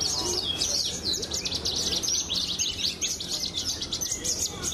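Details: Horsfield's (Javan) bush lark, a champion songbird-contest bird with unusual mottled plumage, singing a rapid, continuous stream of high, scratchy chirps and trills, with a man speaking faintly underneath.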